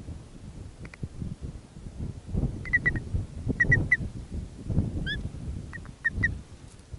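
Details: Grey plover nest in the Arctic, with a newly hatched chick squeaking plaintively as the male sits down to warm it; repeated clusters of two or three high, pure peeps, one brief upslurred note, amid rustling nest noise.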